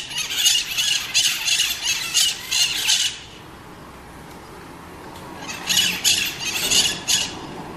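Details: A Scaly-headed parrot (maritaca, genus Pionus) gives harsh, grating squawks, about three per second, in two loud bursts separated by a quiet pause with faint background hiss.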